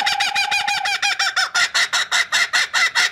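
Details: Indoors, a captive laughing kookaburra from Australia keeps up its territorial laughing call, prompted by rolled R's: a rapid run of harsh, throaty notes that becomes loud evenly spaced cackles, about two or three per second.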